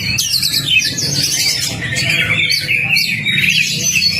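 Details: Oriental magpie-robin (kacer) song used as a lure and training master for a bird that has stopped singing: rapid looping whistles and chattering trills pour out without pause over a faint low drone.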